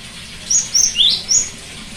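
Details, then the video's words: Cinereous tit song used to encourage a silent bird: a short phrase of four notes, high even whistles framing one lower rising note, clear against faint noise. "terapi gelatik batu macet bunyi"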